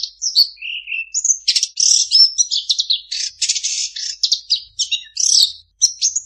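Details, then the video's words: Long-tailed shrike in a lively mimicry song of varied whistles, low slurred notes, buzzy rattles and sharp chips delivered almost without pause. "Suara burung cendet mp3 banyak isian"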